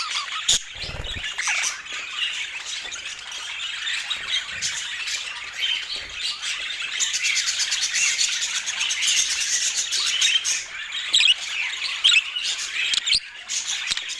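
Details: Busy budgerigar warbling over fourteen seconds, mixing scratchy chirps and squawks, with a stretch of rapid, buzzy ticking notes in the middle and a few low thumps early on.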